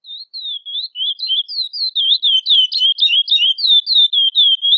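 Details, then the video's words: A female chestnut-bellied seed finch (curió), calling persistently to solicit mating, gives a rapid run of high, slurred chirps, about four a second, dipping and rising in pitch, against a quiet background. "Curió Cantando e Chamando Muito - Fêmea de curió pedindo gala"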